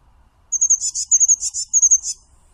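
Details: Blue tit song phrase of very high pure whistles alternating with short, dense trilled bursts, repeated three times in quick succession with clean, quiet surroundings.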